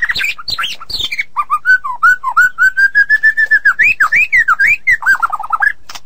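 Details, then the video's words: Tutoring song of a white-rumped shama: a few looping whistles, then a long even run of short whistled notes about five per second, rising and falling in pitch, ending in a quick wavering trill. "Suara Masteran Burung Murai Batu"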